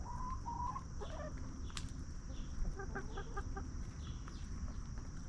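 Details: Soft clucking from free-range hens roaming and feeding in a backyard farm: a pair of drawn-out mellow notes, then a run of quick, evenly spaced short clucks, with a persistent low background rumble.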